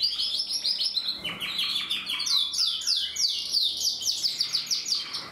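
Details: Belgian canary; the source names it a Portuguese Harlequin canary from a canary breeder, 2024. It sings a continuous, high, rolling song of fast trills and repeated descending phrases, with faint indoor room tone.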